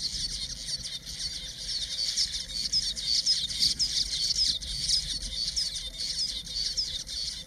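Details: Male village weavers in Zululand, KwaZulu-Natal, South Africa, displaying at their self-built nests to nearby females: a dense, continuous, high sizzling chatter of many quick chips and ticks, steady throughout, over soft low rumble.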